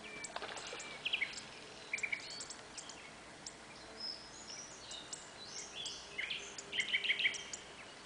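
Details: Common greenshank at Lučenec, Slovakia, giving clear, ringing notes in quick groups of two or three, fairly distant, with other birds chirping and twittering throughout.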